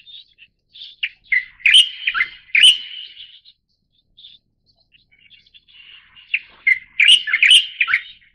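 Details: {'caption': 'Pycnonotus sinensis formosae, a leucistic Light-vented Bulbul, delivers two bubbly chattering phrases roughly five seconds apart. Each has scattered lead-in chips and a dense burst of jumbled, slurred whistles, with faint soft notes between them.'}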